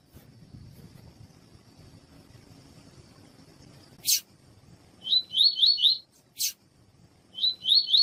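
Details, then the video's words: Double-collared seedeater (coleiro tui tui) song with a female's call, used to warm up and train males: two quick bursts of high, buzzy, rippling notes with thin chips above, after a low background rumble and two sharp clicks. "CANTO DO COLEIRO TUI TUI COM PIADO DE FÊMEA DE COLEIRO PARA ESQUENTA COLEIRO TUI TUI"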